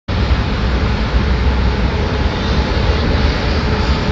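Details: Loud, steady broadband rumble like heavy traffic or an engine fills the whole recording, with no animal sound heard.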